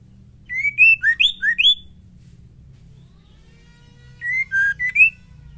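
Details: Female white-rumped shama (murai batu) singing, used to provoke males into singing: a burst of six clear whistled notes, some rising and some falling, then a later phrase of four whistles, over a faint low hum.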